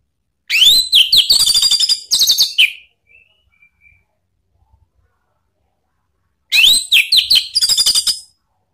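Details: Lure song of the orange-headed thrush for getting a pet bird to respond: two long phrases of fast varied whistles and harsh buzzy strokes, separated by a few seconds of near silence.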